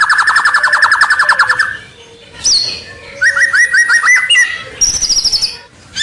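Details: White-rumped shama lure song to entice rivals: a long rapid buzzy trill, then a series of short slurred notes and another fast high trill.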